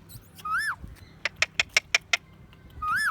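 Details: Pet parrot chirping indoors: a rising and falling whistled note, then a row of about six quick clicking chirps, and a second arching whistle to close.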